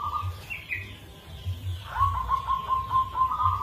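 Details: Local zebra dove with a rare, unique rhythm, giving a lure song. A brief coo and higher chirps lead into a quick run of evenly spaced beaded coo notes over a low pulsing hum.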